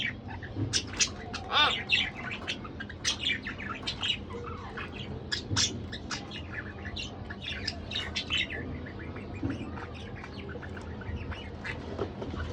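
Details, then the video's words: A budgerigar pair chattering almost nonstop: dense, scratchy squawks and chirps tumbling over one another, loudest early, then softer, rapid twittering fading toward the end. "Lovely Couple Budgerigar Bird"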